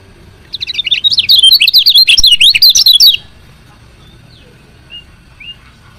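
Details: Chirping call of a female lemon-bellied white-eye, meant to provoke males into singing: a dense, excited run of rapid high zigzag chirps lasting under three seconds, followed by quiet with two soft isolated notes.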